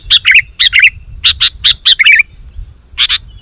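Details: Sooty-headed bulbul song for luring wild birds; pairs of bright chirps and gurgling warbled notes, a brief lull, then a final double chirp.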